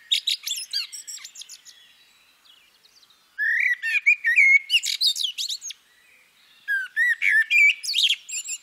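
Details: Common blackbird, female: the clip opens with a shrill twittering end of a phrase, then two full phrases of mellow rising and falling whistles. Each whistled part is capped by fast, high squeaky flourishes, with short silent gaps between phrases.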